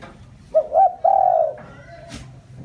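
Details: Spotted dove kept as a decoy, calling to lure wild doves: one phrase of two quick hooting notes and a long smooth coo, followed by a faint sharp tap.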